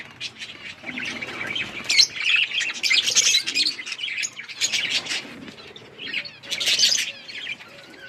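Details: Budgerigars in winter rain chatter continuously in warbled chirps and clicks, rising in bursts, with wing flutters mixed in.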